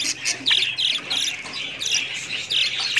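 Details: Budgerigar chatter of scratchy squawks and quick high chirps, coming in bursts with short pauses between them.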